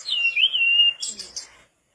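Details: A single mangrove blue flycatcher phrase: a long wavering whistle held for almost a second, followed by three quick buzzy high notes fading away.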